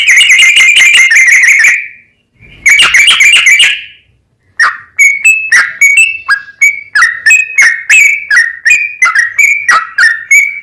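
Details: Yellow-vented bulbul in long rapid song used as a singing lure for other bulbuls: two harsh chattering bursts separated by silence, then a quick stream of liquid whistled notes.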